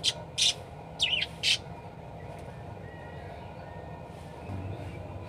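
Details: Four shrill, short parakeet chirps in the first second and a half, given energetically for training other birds, then near quiet with only a soft low rumble.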